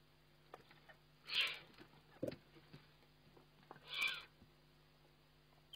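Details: Eurasian eagle-owl on a webcam during feeding, 29 May 2011: a pair of breathy, noisy hisses about two and a half seconds apart over a background of soft rustling, scraping and ticking movements and a constant low electrical hum.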